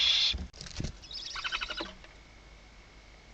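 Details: Barn owls inside a nest box at Riet Vell nature reserve in the Ebro Delta, Spain, at night on 21 October 2025 as the male arrives with prey; a loud harsh hiss opens, then clicking, rattling and scraping sounds that fade away.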